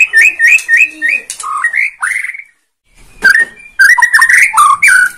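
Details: White-rumped shama, Borneo type, singing a lure song to make other birds sing: four repeated clear whistled notes, then slurred rising whistles, a brief silence, and a rapid run of varied whistled notes.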